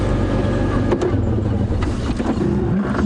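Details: Loud, low vehicle engine rumble fills the recording throughout, with no animal calls heard.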